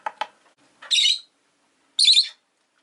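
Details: Two loud, grating chirps from pet rosy-faced lovebirds, a newly arrived pair, about a second apart, preceded by two low clicks.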